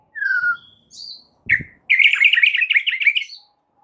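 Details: A white-rumped shama gives a few clear descending whistles, then a rapid, rolling warbled trill of repeated notes lasting over a second.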